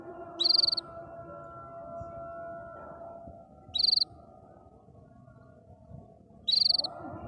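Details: A happily singing canary repeats a brief, fast, high trill three times, roughly every three seconds, against a soft continuous background hum.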